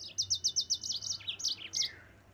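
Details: High, bright yellow-fronted canary song meant to provoke rivals: a steady series of repeated chirped notes, about five per second, then varied twittering and a soft falling whistle.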